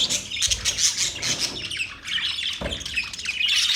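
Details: Budgies chirping and squawking together in a continuous, busy chatter of raspy notes and high twitters, with a brief dip in loudness around two seconds.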